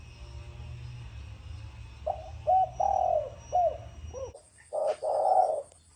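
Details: Spotted dove cooing in the thổ sấm style: a series of low, soft hollow coos, some short and some drawn out, with a steady low hum underneath and a faint high electronic tone.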